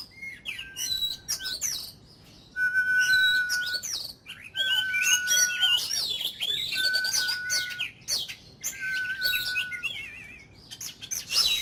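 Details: Oriental magpie-robin, an ornamental cage bird, sings 'kích lửa' fire-up song for daily voice training: steady mid-pitched whistles held about a second, repeated five times, between busy high chattering and warbled phrases.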